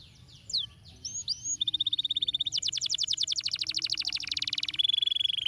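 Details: Canary song used to stimulate lazy canaries to sing: a few sharp descending and rising whistled notes, then a long rapid trill of bright repeated chips, shifting into a faster, denser buzzy roll and ending on a high, steady tone.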